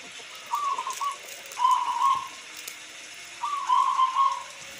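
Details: Perkutut lokal, a local zebra dove, giving rolling trilled coos amid rain: a short rising note leads into longer buzzy, rippling phrases, about three phrases over a few seconds.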